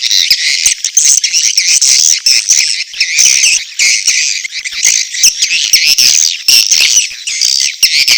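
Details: Dense, high-pitched edible-nest swiftlet chattering with squeaky whistles and rattling chirps, mating calls combined with chick calls, continuous and slightly pulsing.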